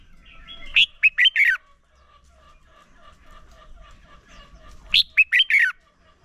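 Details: Red-whiskered bulbul song used to spur other bulbuls into singing during voice training; two bright phrases of five or six rapid, slurred whistled notes, about four seconds apart, over quiet background.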